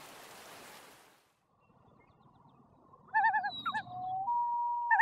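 A common loon gives a quick, wavering, laughing tremolo, then a long, steady, mournful note. A brief rush of noise comes first.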